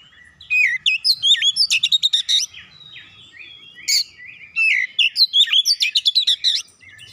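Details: Magpie-robin (kacer) giving a full lure song for a silent bird: two long loud runs of rapid, varied sharp notes and whistles, separated by a quieter warbling passage.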